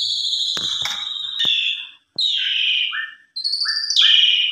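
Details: Javan pied starling lure song aimed at making other birds answer: a long level whistle with clicks, then falling whistled slurs and short dropping notes in quick pairs, separated by brief silences.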